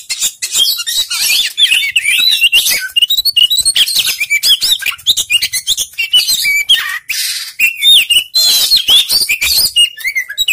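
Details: Lure recording of Oriental magpie-robin song meant to make a lazy bird sing; fast, jumbled sequence of sharp chirps, twisting whistles and harsh scratchy notes, delivered almost without pause over ten seconds.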